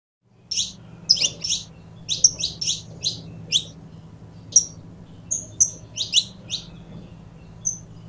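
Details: A pair of saffron finches singing, offered as a recording for stimulating other birds to sing: bright, high chirps in short clusters of two to four, separated by brief pauses, with thin whistled notes between, over a faint low hum.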